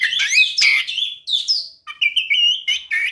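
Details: Orange-headed thrush in full, lively song used as a lure to coax a quiet bird into singing; whistled phrases sliding between mid and high pitch, a sustained level whistle, then short clipped notes.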